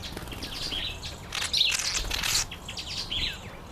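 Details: Breeding-season red-collared widowbird uttering quick high chirps and twittering notes, with a loud broadband rustle like wing flutter in the middle and steady low background noise.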